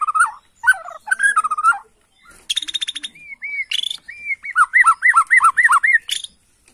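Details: Excited Bornean white-rumped shama answering a lure recording. Warbled whistles lead into buzzy trills, then a neat run of looping whistled notes repeated about six times.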